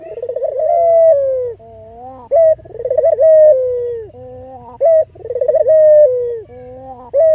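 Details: Albino local Barbary dove, used as a lure to stimulate other doves to call. Repeated cooing phrases: a rolling, tremulous trill leads into a long steady note that slides lower, then a softer low hum, with a short sharp note between phrases.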